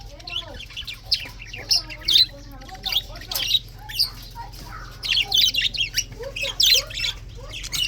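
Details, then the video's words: Budgies chirping on a February morning in 2024: busy overlapping chatter of sharp high chirps and scratchy squawks in quick bursts, with softer warbled notes between, over a steady low hum. "February 24, 2024 Morning 🌄 chirping sounds ! best parrot 🦜 beautiful"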